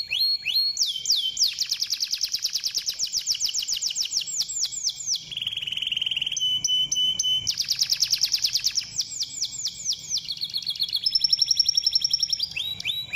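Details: Canary singing in a long practice recording meant to stimulate canaries: rapid high trills and rolling tours, a buzzy lower section, then a steady pure whistled note near the end, all delivered in quick pulsed bursts.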